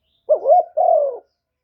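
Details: Single cooing phrase from a decoy spotted dove meant to lure wild doves: a short rolling, rising note run straight into a longer, steady coo that eases downward.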